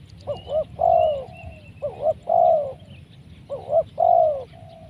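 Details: Spotted dove, described as big-voiced and big-bodied, calling during bird trapping with a decoy; three coo phrases of quick wavering notes ending in a long falling coo, with a faint thin whistle from another bird above.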